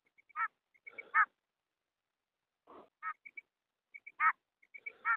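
A female quail gives short, nasal, honking notes at irregular intervals, each led in by a few soft, high ticks. There are quiet pauses between the calls.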